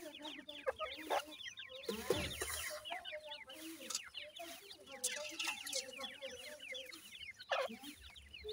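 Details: A flock of new-season grey partridge chicks keeps up rapid, high-pitched downward peeps, mixed with lower, softer chirps and a brief noisy rustle in the second second.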